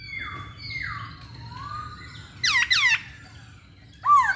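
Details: Masked laughingthrush singing actively: soft descending and rising slurred whistles, then two loud downward-swooping harmonic notes and one last bent whistle.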